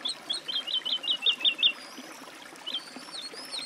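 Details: Woodlark: a run of about nine rich, rolling whistled notes, evenly paced and loud, then a quiet gap with faint thin whistles.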